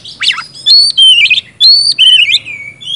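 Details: Short burst of oriental magpie-robin song, gacor ngeplong style, meant to trigger singing in quiet birds: a rough opening note followed by two bright, warbling whistled phrases and a trailing downslurred whistle.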